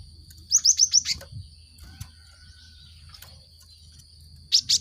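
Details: Cinereous tit song used as a lure to make caged birds sing: a quick series of five sharp high chirps, a pause with faint background sounds, then three more loud chirps at the end.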